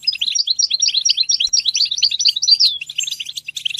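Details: Goldfinch song for encouraging goldfinches to sing: a dense, quick chatter of bright chirps and buzzy notes, a downward whistled slur near the end, then continued twittering.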